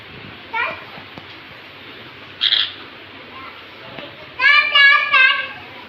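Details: Angry green parrot making brief harsh squawks, then a burst of rapid, wavering harmonic screeches near the end, while a woman talks and scolds in Hindi.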